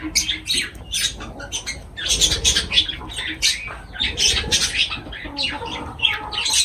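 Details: Lovebirds feeding, loud shrill chattering: fast high-pitched squeaks and harsh chirps packed closely throughout, some overlapping.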